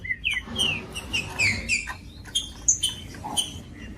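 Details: Green-winged saltator song used to warm up a cold bird, a species kept by breeders for song tournaments; quieter slurred whistles around mid-high pitch, falling and rising, mixed with short sharp clicks and faint background rumble.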